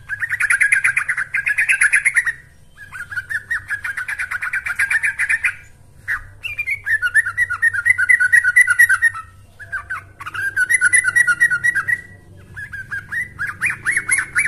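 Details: Lure song of the yellow-vented bulbul used to train birds, given as several chattering phrases of fast, bubbly repeated notes separated by short gaps, some phrases starting with a higher rising note.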